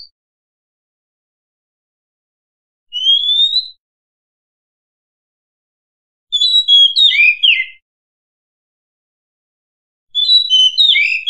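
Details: Female Oriental magpie-robin song: a single rising whistle, then two rich, varied whistled phrases with quick trills, about three seconds apart, in otherwise quiet surroundings.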